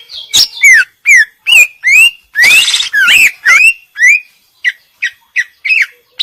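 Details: Female greater green leafbird in lively 'isian' song: loud, quick sequence of swooping and rising whistled slurs mixed with harsh, buzzy notes, then a run of short clipped chips roughly twice a second.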